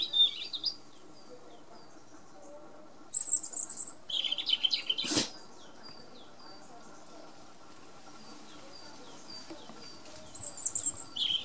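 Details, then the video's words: European robin singing: short bursts of thin, high, sweet trills and twittering notes, with long pauses between phrases, a sharp click near the middle, and a faint steady hum behind. "Erithacus rubecula Κοκκινολαιμης κελαηδημα"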